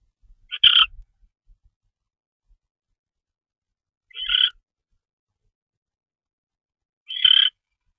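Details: A barn owl on a February 2013 night bringing in a mouse gives three short, harsh screechy rasps spaced several seconds apart, with faint thumps and silence between.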